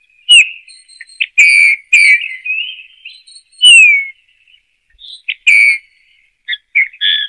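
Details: Bullfinch song: a run of soft whistled notes, some falling, some bending upward, and some short and clipped, broken by brief pauses. No other sounds.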